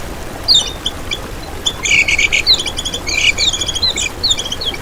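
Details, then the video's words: Lemon-bellied white-eye master song used as a lure for trapping and as a tutor for competition birds, continuous ngejos style: high, thin twittering with rapid chattering trills and sharp descending whistles, bursts growing denser after the first second. "Masteran Kecial Kuning Untuk Pancingan n Pikat"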